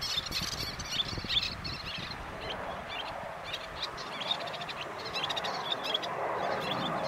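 Little terns give sharp, high, scratchy chirps in quick irregular bursts over a steady rush of wind or surf.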